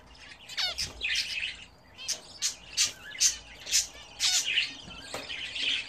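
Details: Caged pet budgerigars at home, taking their first bath in a bath fitted to the cage. Bright, sharp chirps and warbling tweets come in quick bursts, roughly two per second, with short pauses between.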